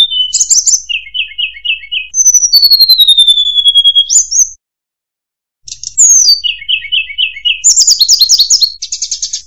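A shortwing sings a varied, high song: clear slurred whistles mixed with quick runs of repeated chirping notes, broken by a brief pause.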